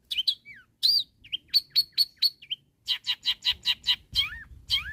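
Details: Long-tailed shrike calling rivals with a varied, mimic-like string: down-slurred whistles, a run of evenly repeated clipped notes, then a rapid series of harsh chips ending in falling whistles.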